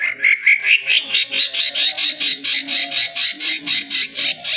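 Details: Oriental magpie-robin singing, used to prompt other birds to sing: a fast series of about ten buzzy, harsh notes per second, high and repeated in a steady pulse, rising slightly in pitch over the phrase.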